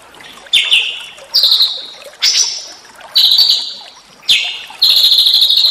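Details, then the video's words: Small songbird song for training white-rumped shama: short bursts of high, slightly descending whistled trills, each about half a second long, repeated roughly every second with brief gaps. "masteran burung kecil agar murai batu gacor"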